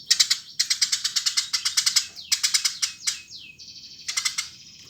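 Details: Eurasian tree sparrow, a lively, actively singing bird, giving rapid bursts of harsh, broadband chirps in quick trains, with short pauses, a few sliding whistled notes and a steady thin tone near the end; no other clear sounds.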